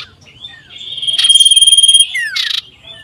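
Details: Common iora singing loudly, seeking a rival, 27 December 2022: a sustained high pulsing trill, then a descending slurred whistle and a harsh buzzy burst, ending with soft whistles.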